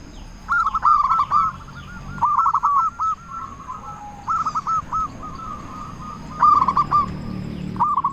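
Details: Zebra dove of a local Indonesian strain, singing often and loudly as a lure to stir other doves to answer. Repeated bursts of quick, stuttering coos, some loud and some softer, separated by short gaps.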